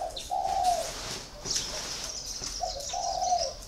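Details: Two smooth low coo phrases from a còi spotted dove kept caged for four years, with a steady high thin twittering from other birds between them.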